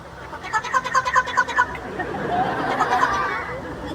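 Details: A female parrot, Eddie, gives a quick, rhythmic human-style laugh, a run of bright 'ha-ha-ha' notes, when tickled, which she loves; a talking parrot at a safari park show.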